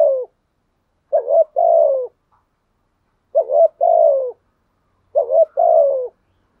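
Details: Cooing of a spotted dove kept as a lure, a trained sequence: two-part phrases repeated about every two seconds, a short wavering note leading into a drawn-out falling coo.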